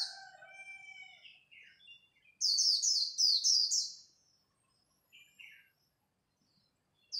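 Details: White-eye singing in competition at dawn: a burst of rapid, high, slurred warbling notes in the middle, with softer lower twittering notes before it and a few quiet chips after.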